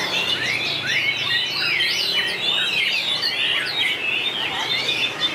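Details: White-rumped shama singing in a contest, 2019, with long voice changes: loud, varied whistled phrases, quick downward slurs and chattering trills packed tightly together, with a faint low hum in the background.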